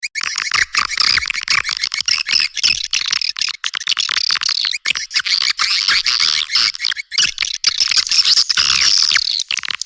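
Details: Swiftlet calls meant to attract young swiftlets: a dense, continuous chatter of high, rapid chirps and twitters with thin whistled tones running through, with no low sounds at all.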